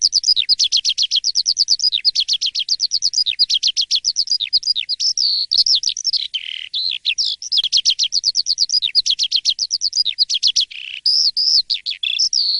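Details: Sustained morning song of an Asian pied starling, sung in the gacor and ngeplong manner: long bursts of rapidly repeated sharp notes broken by varied whistled slurs, lasting over twelve seconds, no background noise.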